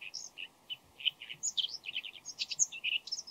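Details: Bull-headed shrike before dawn giving a varied medley of calls, possibly mimicry of other birds: quick squeaky chirps and chattering notes in irregular bursts, growing denser toward the end, with constant low background noise.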